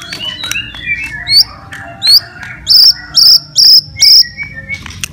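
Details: Provocative fighter song of a white-rumped shama, meant to rouse other shamas: scattered upswept notes, then five loud, evenly spaced, piercing high notes about half a second apart, with softer chirps behind and a low background hum.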